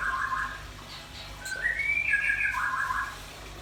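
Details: Red-billed nuthatch and white-rumped shama (rambatan paruh merah and murai batu) sing energetically: a warbled whistle, a smooth rising glide into a sustained higher note, then a lower warbled phrase.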